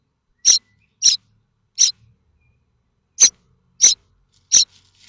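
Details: Common starling nestlings in a nest at Théding, France, on 7 May 2024, begging while they wait for a parent to bring food. Short, harsh, high-pitched rasping calls, six bursts at uneven intervals over about five seconds.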